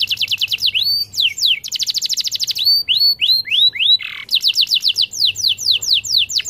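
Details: Canary in full continuous song, used to coax silent canaries into singing: fast trills of rapid notes near 4–7k, downward-sweeping whistled slurs, a brief harsh buzzy phrase, then more sweeping trills.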